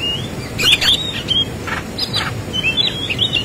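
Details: Fighting song of an Oriental magpie-robin with rich fill-ins: a few loud, sharp whistled notes and short scratchy bursts, separated by brief gaps, over a steady low rumble.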